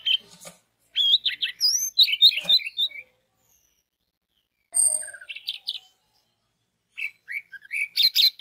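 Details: Lure song of an orange-headed thrush meant to prompt other orange-headed thrushes to sing: three bursts of quick, high, warbling and chirping phrases separated by pauses of one to two seconds.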